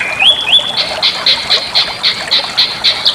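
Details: Bali myna song for training other birds: two bright rising whistled slurs, then a quick series of short buzzy notes repeated roughly four times a second.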